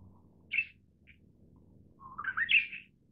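Manchurian bush warbler: two short high chips, then a rising, rich warbled phrase that climbs and ends in a bright flourish. A faint low rumble sits underneath.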